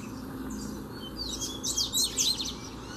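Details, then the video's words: Free double-collared seedeater facing a caged bird: after a quiet start, a few high slurred whistles lead into a short, bright chirping phrase, heard over a noticeable low rumbling background. "BADERNA O COLEIRO VEM NA MÃO PRA PEGAR O DA GAIOLA!!! TREINO DE FIBRA NO COLEIRO SOLTO!!!"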